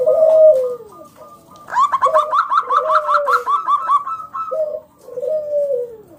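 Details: Local zebra dove singing loudly as a lure to set other doves singing: falling coos open the phrase, then a long string of quick high staccato notes rides over softer cooing before closing on a descending coo.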